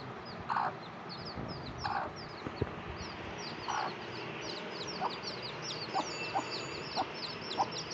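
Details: Mother hen with her baby chicks: soft low clucks every second or two beneath a constant stream of thin, high peeps from the chicks.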